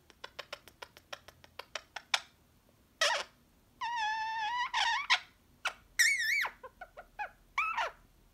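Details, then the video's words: Pet Indian ringneck parakeet talking softly while taking its usual afternoon nap indoors: a run of quick clicks, then buzzy drawn-out wavering phrases and short rising and falling squeaky syllables, with a quiet room behind. "sleepy parrot talking while taking a nap"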